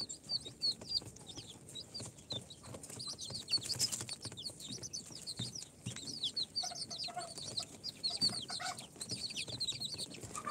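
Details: A brood of day-four incubator chicks of Sultan, Golden Sebright, Cochin and booted breeds chirps steadily. Many thin, high, falling notes overlap throughout, joined by light tapping and rustling from movement.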